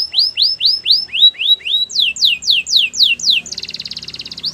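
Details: Canary singing a training song: a run of repeated, clear, downward-sweeping whistles, then faster rising-and-falling notes, ending in a dense, rapid, buzzy trill, all bright and high-pitched with no other sounds.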